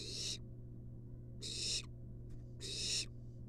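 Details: Begging barn owl nestling, wild, in a research nest box while its mother brings a long-tailed rat; three rasping, breathy hisses roughly once a second, with a faint fainter hiss between and constant low hum.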